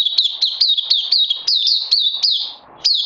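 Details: Oriental white-eye, 31 May 2020, singing a rapid sequence of thin, high chirps that drop in pitch, pausing briefly before resuming.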